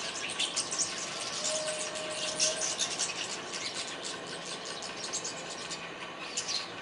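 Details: Unidentified wild birds recorded in April 2012, a dense chorus of high chirps and twittering notes repeating rapidly over steady background hiss, with a faint low engine-like hum.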